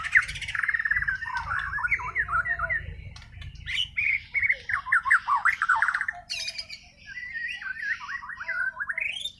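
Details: Nonstop song of a Bornean white-rumped shama singing naturally, without tutoring: loud, varied whistled notes tumbling up and down in quick succession, broken by short pauses, over low background hum.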